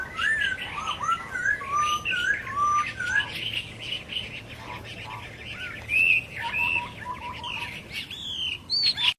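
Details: In the wild, masked laughingthrushes give a lively run of slurred whistles and harsh chattering notes, with several overlapping voices and other birdsong behind them.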